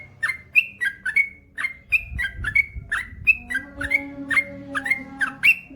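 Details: Male yellow-vented bulbul singing energetically: loud, bubbly whistled phrases of two or three notes, some rising and some falling, repeated with short gaps over a faint steady hum.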